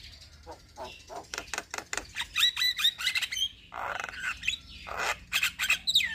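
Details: Javan myna (jalak kebo) singing busily, a training recording for other birds: quick clicking ticks that build into sharp whistled notes with downward slurs, then a harsh raspy burst and more shrill whistles, roughly four notes a second.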